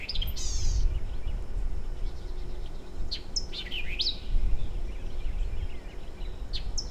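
A White-eyed vireo sings a quick phrase of sharp, snappy notes with slurred whistles, over a steady low rumble of wind or distant noise.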